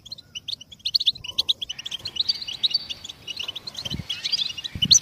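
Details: A goldfinch sings a rapid, jingling twitter that builds in density, bright clustered notes with a few thin drawn-out tones and occasional low knocks.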